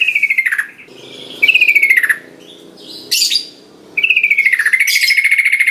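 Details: Yellow-vented bulbul lure meant to start silent birds singing: three rattling, downward-sliding buzzy phrases, with a brief harsh burst between the second and third.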